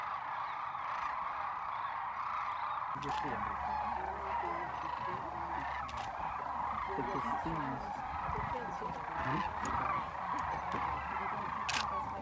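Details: Big fly-in of sandhill cranes returning to rest at Whitewater Draw, southeastern Arizona, January 19, 2019. A continuous chorus of many trilling calls swells after a quieter opening, with lower nearby calls and voices mixed in.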